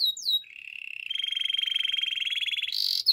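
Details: Belgian canary singing in the morning: a few high, quick sliding notes, then a long rolling trill of rapid pulsed notes held steady for about two seconds, ending in a brief harsh buzzy burst.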